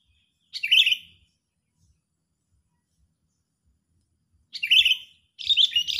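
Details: Agitated sooty-headed bulbul lure for trapping birds: a loud harsh chirp burst, several seconds of silence, then two more rapid, buzzy chattering bursts.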